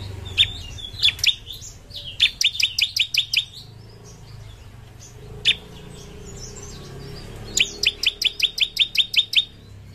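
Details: Bar-winged prinia, used as a master song to make other birds sing, known for a loud, ringing voice: bursts of sharp, high chirps in rapid runs of about eight notes, separated by single isolated notes, over a quiet background.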